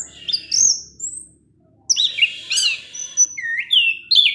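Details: Orange-headed thrush in 'teler' evening song, provoking rival thrushes: a high whistled phrase, a short silence, then rich slurred whistles and sharp upward-sweeping notes in quick succession.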